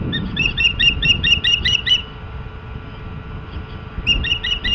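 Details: Osprey at its nest, filmed by a nest camera on 14 April 2016: a series of high, piercing whistled chirps repeated rapidly for about two seconds, then a pause and another burst, over low hum and a steady electrical tone.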